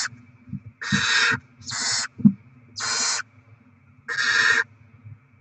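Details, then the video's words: At a barn owl nest where rodents are brought in to feed the little ones, 07/02/2024: four rasping, noisy screeches of about half a second each, with a soft thump between them and a low background hum. "Barn Owl Kangarobin - Płomykówki Syd & Mel - Dostawy gryzoni - Karmienie maluchów"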